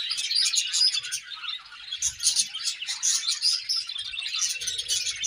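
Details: Budgerigar morning chirping, steady high twittering and squeaky warbles running throughout, dipping slightly in the middle before rising again.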